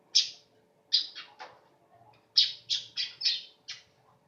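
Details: Weaver singing short bursts of harsh, high chattering notes in two clusters separated by a short gap, somewhat quieter than the other recordings, with faint low background hum.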